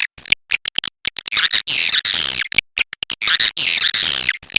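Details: Cave swiftlet calls, described as a China type: rapid dry clicks in quick bursts alternating with longer buzzy, harsh twittering chirps, with brief silent gaps between volleys.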